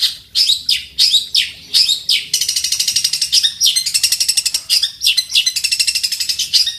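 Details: Fighting long-tailed shrike in strong song, full of imitated phrases, challenging a rival. Loud rising chips open the phrase, followed by a long, rapid, rattling trill of clicking notes, then more separate chirps.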